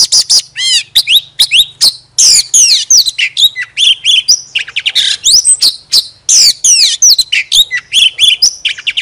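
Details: Energetic Oriental magpie-robin song used as a lure: clear looping whistles, rising and falling slurs and scratchy chips tumbling in fast irregular phrases, a soft low hum in the background.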